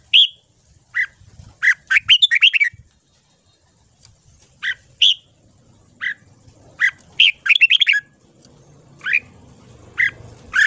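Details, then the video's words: Red-whiskered bulbul in morning voice-training song, single clear whistles alternating with fast tumbling bursts of several notes, spaced irregularly across the recording, with a faint low hum in the background. "Luyện giọng chào mào hót sáng"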